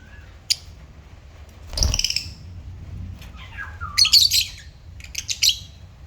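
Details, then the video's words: African lovebirds kept as pets, giving scattered sharp high chirps, then a tight cluster of rapid shrill squeaks, with a faint thud early on. "African Love Birds Satisfying Sound Effect"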